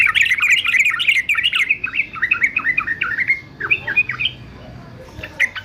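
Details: Yellow-vented bulbul, a fighter-type caged male, sings an energetic bubbly chatter of quick slurred notes, slowing into separate chirps and upward-sweeping phrases before tapering off with a couple of short calls.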